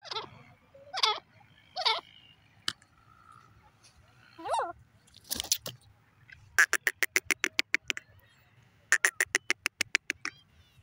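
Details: Female grey francolin calling: several loud, harsh notes that rise and fall, spaced about a second apart, then two rapid runs of sharp clicking pulses, about a dozen each in quick succession, over a faint low hum.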